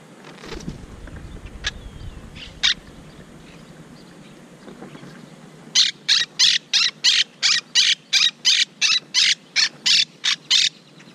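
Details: Upset monk parakeets fussing at a camera placed near the nest they are building after their tree was climbed: a few scattered clicks, then a steady run of about fourteen loud, raspy squawks, roughly one every third of a second.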